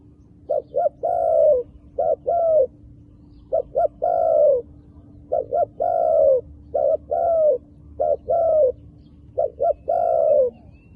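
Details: Low mellow cooing from a wild dove with dark-marked plumage: repeated phrases of two quick short notes and then a drawn-out falling coo, about seven phrases in eleven seconds, over a constant low hum.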